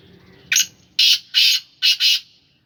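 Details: Home-kept Sindhi Gangas black francolin calls a strident series of five rasping notes. A brief opener leads into two drawn-out harsh notes and ends with a rapid double note. Faint low hum sits underneath.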